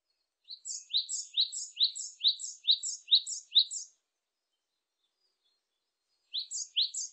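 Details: Japanese tit delivering a long strophe of eight evenly spaced two-note phrases, rising low note then higher chirp, then after a pause beginning again with two more.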